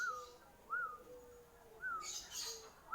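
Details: ['Perkutut bangkok (zebra dove) of Bangkok type, Kertosono, Nganjuk, singing bekur manggung ngayer dengkur: short arched whistled coos repeat irregularly over a low steady tone, with a brief rustling burst midway.']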